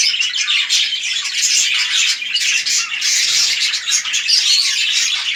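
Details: Breeding pair of red-eyed lutino budgerigars, large male and small female, chattering continuously in a loud buzzy warble mixed with high thin whistles.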